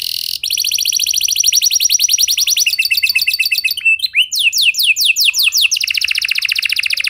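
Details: Canary song meant to coax other canaries into singing: a long rapid trill, a switch to broader falling sweeps, then another fast, even trill.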